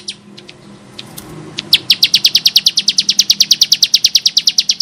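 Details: Bar-winged prinia (ciblek sawah, prenjak klik), singing in the rough-voiced gacor style used for tutoring birds: after a few scattered high chips, a fast, even run of sharp high notes, about six per second, until the end.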